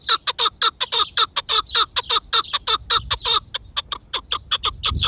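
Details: Chukar partridge calling: a steady run of short, harsh, clucking notes, about two per second, each note broad and rich in overtones, with faint low rumble beneath.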